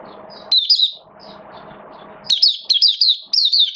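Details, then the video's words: Caged Oriental white-eye, rainy weather, 8 October 2022, giving a short slurred warble, a pause with low hum, then a lively sequence of high, descending twittering notes repeated in quick groups. "Mata Puteh Buka Sing"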